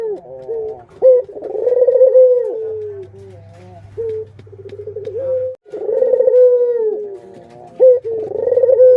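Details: Pet Barbary doves, adult and chicks together, coo in rolling phrases. Throbbing pulses lead into smooth held notes, with short gaps and brief clipped coos between the longer phrases. A low background drone is present.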